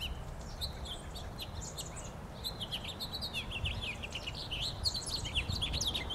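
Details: Winter song of a red house finch at a park in Oak Bay, 27 January 2012. It gives a continuous lively warble of slurred, chirpy notes rising and falling, with a constant low background rumble.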